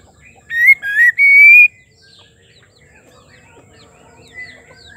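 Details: Female white-rumped shama, kept caged, singing to stir males into song: a loud clear whistled phrase of three notes, the last a long steady rising whistle, followed by faint distant twittering.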